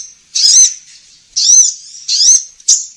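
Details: Sunbird lure sound, local name kolibri ninja, for trapping: three loud, drawn-out high calls with a wavering, slurred tone, about a second apart. A short sharp note closes the clip.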